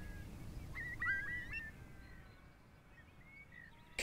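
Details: A Eurasian Curlew, alarmed and flushed from its nest in the UK breeding season, gives its distinctive alarm call as it takes off: a quick burst of sharp, slurred whistled notes, then a fainter drawn-out whistle, over low wind rumble.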